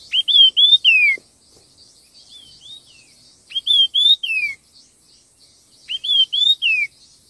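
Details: Red-tailed minla singing fast in a song contest: three loud whistled phrases, each a few bright notes ending in a falling slur, about two seconds apart, over faint high chirping.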